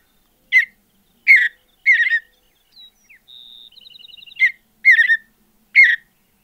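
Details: Mountain Bluebird song from open high-altitude country: brief warbled bursts spaced by pauses, with a thin even run of quick high ticking notes in the middle, no other sounds.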